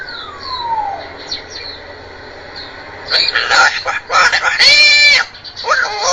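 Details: Talking African grey parrot reciting Arabic. It opens with a thin falling whistle, then a quiet gap, then bursts of bright, speech-like syllables, one held, strongly harmonic note, and a final short phrase.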